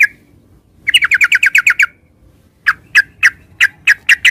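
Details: Yellow-vented bulbul, locally called trucukan or cerukcuk: a quick burst of about nine bubbly chirps in one second, a short pause, then a looser run of about eight sharper, evenly spaced notes, against a quiet background.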